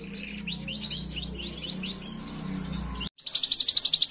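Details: Canary master song used to train other canaries: faint, soft slurred chirps over a low background hum, then after a short break a loud, rapid, evenly spaced trill.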